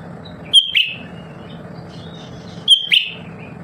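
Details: Lesser green leafbird kept at home for its nonstop singing gives two sharp whistled notes about two seconds apart, each a level high whistle ending in a falling chip, with faint thin notes between and steady low hum.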